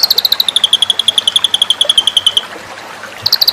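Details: White-rumped shama in a training recording for song contests: a fast, loud trill of about eight identical high chips per second. The notes fall slowly in pitch, break off briefly, then restart.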